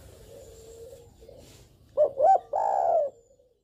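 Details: Spotted dove used to prompt other doves into calling: a faint low hum at first, then a clear cooing phrase of two short notes and one long, slightly falling coo.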